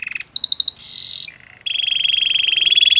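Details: Belgian canary singing: a short buzzy trill, a burst of rapid high pulsed notes, a sustained bright tone, a brief low rolling phrase, then a long steady rattling trill held to the end.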